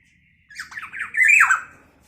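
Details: Chattering black-naped oriole, its calls said to agitate rival orioles: several quick raspy notes building into one loud, drawn-out, downward-sliding nasal squawk, with no other sounds.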